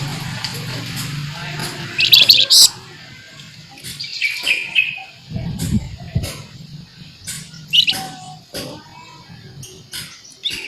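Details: Scarlet minivet in energetic full song, described as nyerecet and sharp; bright, piercing high notes burst out around two seconds in, then scattered short chirps and whistles follow over a steady low hum.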